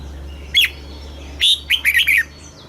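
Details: Thai caged red-whiskered bulbul, southern master-style song for teaching young birds: a single sharp whistle, then a quick tumbling phrase of warbled notes over a steady low hum.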